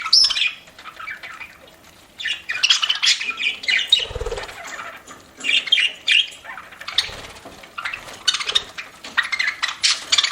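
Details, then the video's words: Pet budgies chattering while they eat, long bursts of scratchy squawks and chirps broken by short quiet gaps, with a low thump near the middle. "PARAKEET EATING SOUNDS"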